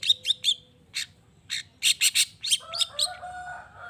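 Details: Long-tailed shrike, a keen singer, used to rouse other shrikes to respond. Quick scratchy notes, some in quick pairs and triplets, give way to a run of steady, ringing whistled tones.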